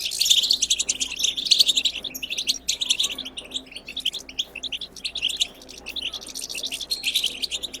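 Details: European goldfinch wild twittering song, played to stimulate goldfinches to sing: dense, rapid high tinkling chirps and buzzy trills in bursts of about one to two seconds, with brief pauses and a faint low hum.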